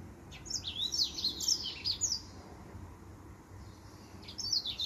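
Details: Male finch singing a rapid string of high, sharp, zigzagging chirps for about two seconds, a pause, then another quick phrase begins.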